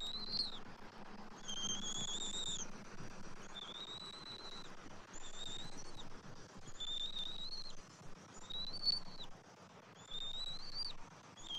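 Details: At a bald eagle nest on a January 2024 morning, the father feeds fish to an eaglet; a near-continuous run of thin, high whistled notes, each gently rising then dropping, over constant low rumble.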